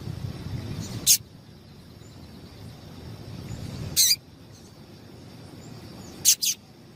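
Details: Female yellow-bellied seedeater calling to excite males: three short, very high, sharp chips spaced about three seconds apart, the last one doubled, over faint steady background hiss.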